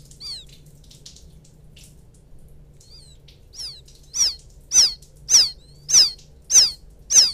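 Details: Quail chick calling its mother, a field quail lure recording: a few faint peeps, then loud high downslurred chirps repeated about every half second over a low steady hum.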